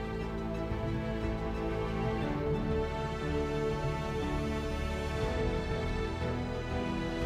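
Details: Slow, soft, melancholy background music with sustained instrumental tones and no animal sounds.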